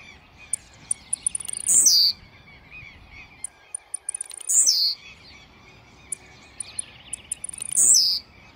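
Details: Aggressive song of a blue-black grassquit: three sharp, buzzy, downward-sliding phrases, each about a third of a second, spaced roughly three seconds apart. Soft, high ticks from other birds sound between them.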